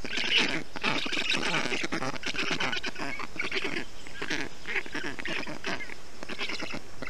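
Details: Nestling black storks in Estonia on a hot day, 20 June 2021, as a parent brings wet grass, moss and water to cool them; continuous hoarse, honking chick calls, quicker bursts alternating with rough drawn-out notes.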